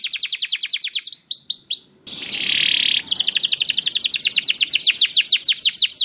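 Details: Canary singing vigorously ('gacor'), played so other canaries answer. A fast high trill and a few looping notes, a short silence and a harsh buzzy burst, then a long, steady run of rapid, sweeping chirps.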